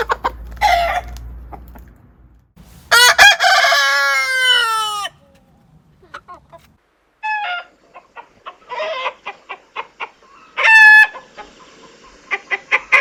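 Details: Rooster gives a loud, long harmonic crow that falls at its end, surrounded by scattered clucks, short calls and a brief low rumble, with another short crow later.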